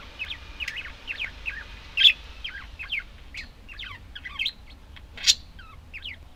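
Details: Budgerigars chattering: a rapid run of short, sharply bending whistled notes, rising and falling, with a few louder clicks near two and five seconds and a faint low hum beneath.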